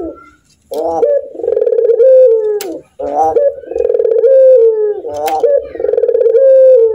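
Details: Indoors, a caged puter dove alternates throaty, chuckling laugh bursts with drawn-out, low purring coos, repeated about every two seconds.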